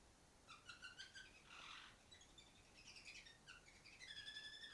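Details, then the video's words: A female canary on top of the farthest cage sings on and off: short high whistled notes and chirps in quick clusters, a brief noisy rustle, then a steady high whistle trilling toward the end. "Female canary singing"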